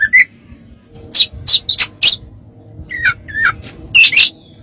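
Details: Training recording of an Oriental magpie-robin: rapid groups of sharp scratchy notes and short mid-pitched whistles, delivered about every two seconds over a soft low background hum.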